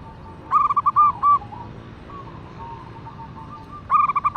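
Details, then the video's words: Local zebra dove, a female calling to a male: short bursts of soft cooing notes near the start and again at the end, separated by a quieter stretch with faint low cooing in between. "VARIASI SUARA Perkutut Lokal Betina Memanggil Jantan"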